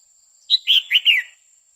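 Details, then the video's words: Red-whiskered bulbul female singing to stimulate a male. A crisp phrase of four quick, clear notes, bubbly and slightly descending, delivered in about a second against a quiet background. "Chào mào mái hót kích trống liên tục Chào Mào mái quých kiu mào mái hót"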